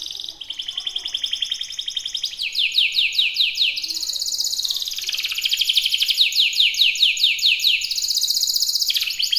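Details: Canary singing a long, loud song: rapid trills of repeated notes, then series of sweeping downslurred notes repeated about twice a second, switching between high buzzy rolls and lower whistled phrases throughout.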